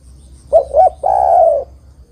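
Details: Spotted dove singing, used as a lure recording to trap birds and provoke rival doves into answering: two short rounded coos followed by one long, slightly falling drawn-out coo, low and mellow, with a faint background hum.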